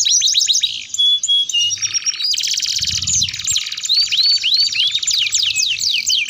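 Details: Canary song used as a lure to teach other canaries to sing: fast rolling trills and rapid repeated upswept notes, some clear whistled tones between, bright and continuous throughout.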